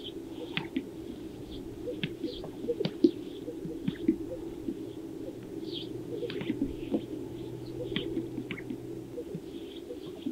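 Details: Several male Greater sage-grouse displaying for females at a lek in Jackson County, Colorado, recorded from a distance in wind, give low, bubbling coos broken by sharp, irregular pops, overlapping against a steady low hum.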